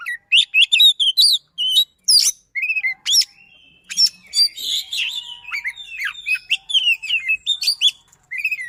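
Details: White-rumped shama, kept as a songbird, delivering rapid, irregular bursts of sharp chips, whistled slurs and buzzy rasps, with short gaps between the clustered phrases.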